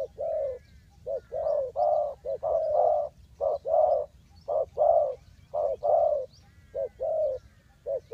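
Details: Spotted dove cooing for bird trapping in Ninh Thuận: a steady stream of low hollow coos, short notes alternating with longer falling ones, about one per second, with faint thin twitters behind.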